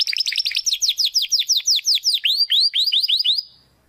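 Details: Belgian canary song for training young birds and adults, a quick repeated series of falling whistled notes merging into rising upslurred notes, evenly spaced, ending cleanly into quiet.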